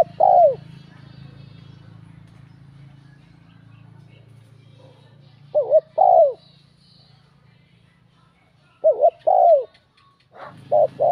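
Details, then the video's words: Spotted dove with a bell-like voice cooing to stir up rival males: a few short bursts of paired deep coos separated by long gaps, over a steady low mechanical hum. "Giọng chuông thúc gù kích bổi, chim cu gáy"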